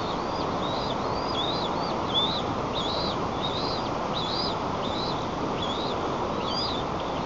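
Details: White-tailed eagle at a nest in Nizhnyaya Kama National Park, Tatarstan, 6 May 2024, as a bird flies in to persuade its mate to feed, giving thin, high yelping notes about twice a second over steady wind- or water-like rushing.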